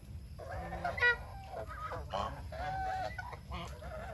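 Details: Domestic geese at their food produce a dense run of overlapping nasal honks and cackles with one loud, sharp honk early on, while low background noise hums throughout.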